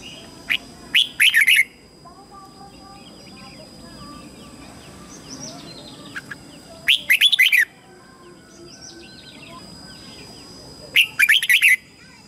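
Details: Red-whiskered bulbul used as a lure to call wild birds to fight, repeating a short burst of sweet warbling notes about every five seconds, with quieter chirps between and a constant high hiss.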